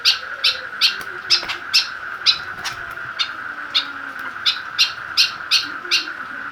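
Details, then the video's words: Caged white-breasted woodswallow made aggressive by a plastic bottle it dares to attack, uttering short harsh chirps spaced irregularly, roughly two to three per second, with a constant background hum. "Cara buat burung kekep babi semakin ganas dan gacor"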